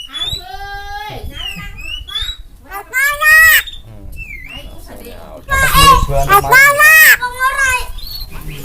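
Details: Asian pied starling making strange sounds: harsh, voice-like harmonic calls that bend up and down, mixed with short high whistles, in loud irregular bursts separated by quieter gaps.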